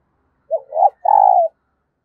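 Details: Decoy spotted dove calling to lure new wild doves: a short soft low coo, a second rising note, then a longer steady hooting coo after a brief pause. Quiet background.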